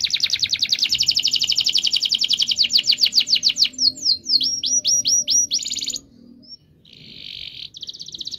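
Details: Canary song for prompting silent birds to sing: a long fast series of high chirped notes slowing into swooping whistles, a short pause, then buzzy rolled trills.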